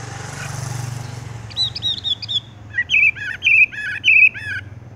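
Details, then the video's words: Horsfield's bush lark, 'tung roll' song going straight into a roll: after a hiss of background noise, a chattering run of high notes gives way to repeated buzzy, wavering whistles. "wambie tung roll gantung langsung ngerol"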